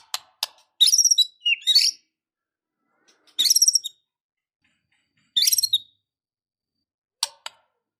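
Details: White-rumped shama, described as emotional and ready to fight, giving short, separated bursts of high, scratchy chattering song broken by sharp clicks and long silences.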